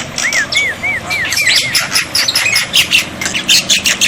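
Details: Black-winged myna, used as a tutor so birds that have stopped singing will reply: opens with six looping whistled notes in quick succession, followed by rough chattering and scratchy bursts.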